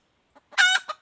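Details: Wild red junglefowl female calling in 2021, one brief outburst: a faint soft note, then a loud rasping clucked syllable and a short quieter tail, silence around it.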